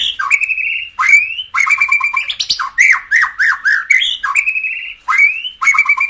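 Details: A white-rumped shama sings vigorously to fire up other birds. Bursts of rising whistles are followed by fast, tumbling, varied notes and upward slurs, repeated in tight phrases with short pauses between.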